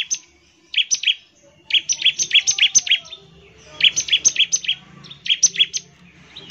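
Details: Shrill, stuttering bursts from a bar-winged prinia, 'nembak ngebren' style song intended to make other prinias sing; dense runs of sharp chips follow a short opening phrase, with quiet gaps between volleys.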